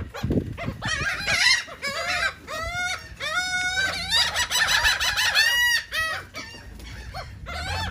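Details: Seagulls eating cake in Atlantic City, New Jersey: loud, ringing yelping calls with clear harmonics, several birds calling in quick overlapping bursts, a short low thump near the start.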